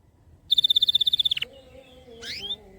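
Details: Short canary phrase for coaxing lazy canaries to sing: a quick even trill of high bright notes lasting about a second, then a faint rising sweep after a pause.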